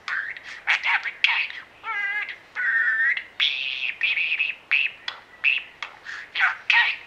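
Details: Captive pet budgerigar, a well-bonded mimic that imitates meowing, woofing, snoring, squawking and singing; rapid bursts of scratchy chirps and warbles, with two sustained harmonic tones near the middle, then short sharp squawks repeated about twice a second.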